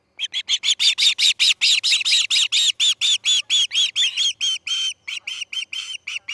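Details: Early morning, August 10, 2018, at the Charlo osprey nest as a chick fledges: a long, steady sequence of bright, repeated chirps, roughly two per second, slightly hoarse at first and clearer later.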